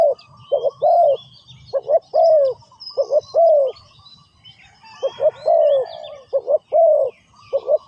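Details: Spotted dove calling in ground decoy trapping: repeated phrases of two brief hoots and a long descending coo, loud and close, with thin whistles and chirps of other birds in the background.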